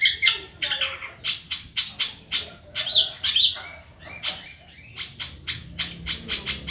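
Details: Long-tailed shrike (Lanius schach), practice song: young bird learning to sing.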